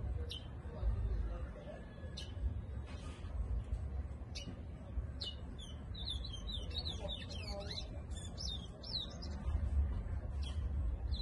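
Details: Brown towa towa (seed finch) from Guyana: scattered sharp chips early on, then a rapid, twittering string of high rising and falling whistles in the second half, with constant low background hum.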